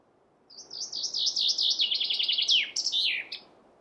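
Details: A chaffinch gives one full song phrase: a rapid, high, gradually descending trill of about a dozen notes, ending in a sharp downward-swooping flourish, against quiet background hiss.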